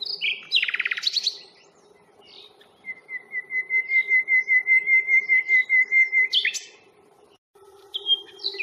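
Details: Common nightingale on the Fingringhoe reserve on 1 May, recorded on a Panasonic Lumix FZ82. A loud rasping trill gives way to a long series of identical piping notes repeated about three times a second. A sharp flourish follows.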